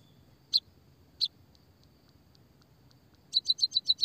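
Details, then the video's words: Sparrow calls used as a lure to stimulate sparrows in Indonesia: two separate sharp high chirps, faint soft ticks, then a rapid burst of six loud chirps. "pancingan suara burung pipit emprit peking bondol kaji gacor kikikikikik...."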